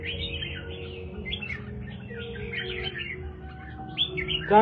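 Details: Captive red-whiskered bulbul singing after its bath on an afternoon during Tet, giving a run of varied, warbled, rising and falling phrases over a steady low hum.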